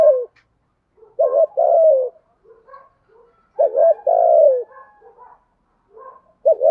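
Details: 'Thúc gù' cooing from a spotted dove with a 'thổ' voice, used as a training and lure call. Phrases of a clipped double note and a long, mellow, downward coo repeat every few seconds; faint calls between.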